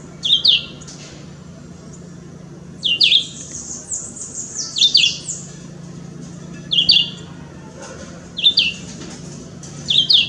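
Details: Chivi Vireo in Parque da Chacrinha, Rio de Janeiro, Brazil, September 2018, giving short, sharp two-part phrases, high and slurred, repeated every one to two seconds, with faint high twittering in the background; Chivi Vireo.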